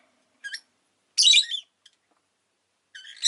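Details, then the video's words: A caged rosy-faced lovebird gives a short soft chirp, then one loud rasping shriek, and after a silent gap another chirp that starts quietly and grows sharp. "Lovebird Chirping Sounds"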